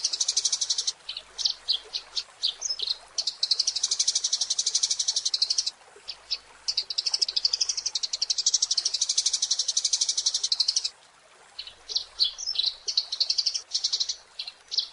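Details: Eurasian tree sparrow chattering in energetic 'gacor' style, meant for training songbirds: long buzzy rattling trills broken by short chirps and brief pauses, with steady hiss behind.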